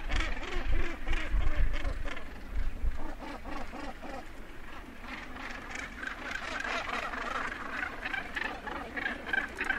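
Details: Northern gannets at the edge of a colony, landing and taking off, give close-up harsh, grating, rapidly repeated calls and flight calls that overlap into a constant colony din, over a heavy low rumble of wind.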